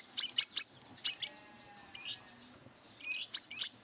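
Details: Brown-throated sunbird, aggressive and looking for a rival to fight, gives a quick triplet of piercing high chips, then a pause, a softer buzzy note, and another burst of thin sharp chips.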